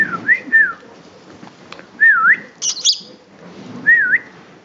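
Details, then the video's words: A Senegal parrot says its own name, Kabi, for the first time: three wavering, whistled two-syllable phrases in speech-like rhythm, with a brief shrill squawk between them and faint room noise behind. "第一次說自己名子-卡比,he can say his name-Kabi!!"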